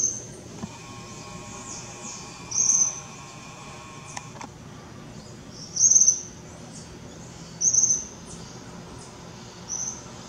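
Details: A young Tropical Kingbird in Parque da Chacrinha, Rio de Janeiro, February 2019, gives short, thin, very high chittering notes, one burst every two to three seconds, over a faint hiss.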